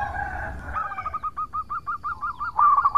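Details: Singing local zebra dove, played as a lure to draw answers from rivals: a soft low note, then a fast, even string of short staccato notes ending in a louder cluster.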